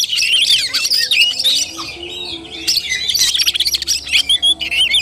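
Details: Oriental magpie-robin singing in the tarung, or fighting, style on 17 August 2021. Continuous jumbled whistles and scratchy chatter, ending in clipped bursts, over a faint low hum.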